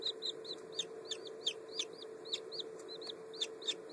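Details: Newly hatched Black French Copper Marans chicks, under a day old, May 2011: shrill, arching high peeps, roughly three or four a second, some overlapping, with a constant low hum beneath.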